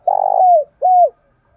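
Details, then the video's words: Morning flock call of a decoy spotted dove: one long, rough, trilled coo gliding downward, then a clean arched note. "chim cu mồi gáy gọi bầy/ cu đất gáy gọi buổi sáng"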